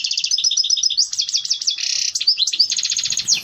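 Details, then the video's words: European goldfinch giving its mating song, said to prompt birds to breed: rapid chattering twitters, rising and falling tinkling notes, a short harsh buzz near two seconds, then quick trills. "صوت تزاوج الحسون يحفز الطيور على التلقيح"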